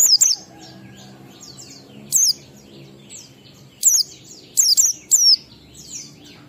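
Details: Ngalas song of an Oriental white-eye, used as a lure for caged birds; scattered short bursts of very high, sharp, falling whistles, each a few notes long, separated by pauses of one to two seconds over low background hum.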